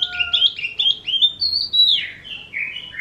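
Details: Oriental magpie-robin sounding like a kitten's meow: a run of short whistled notes flows into long, slurred, mewing tones that rise and then droop, delivered clearly against a quiet background.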